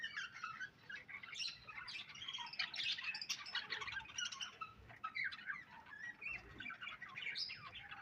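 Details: Budgies chattering nonstop, a dense, busy mix of quick chirps, squeaks and scratchy warbling notes that overlap throughout with little pause.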